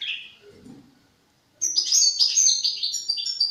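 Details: Young goldfinch at the song-forming stage: a fading high twitter, a faint low rustle, a second of quiet, then a sudden sustained burst of sharp, rapid, high-pitched twittering and trills to the end.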